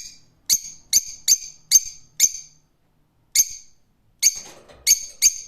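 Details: Rose-ringed parakeet screeching about ten times, loud, harsh notes in uneven rhythm with a short gap midway, each call trailing into a slight echo.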